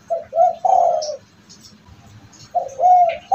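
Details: Kept spotted dove whose cooing is prized as a bringer of good fortune to its owner, of the sought-after type with a repeated 'kuk': a low, mellow coo phrase of several notes, then another phrase beginning after a pause.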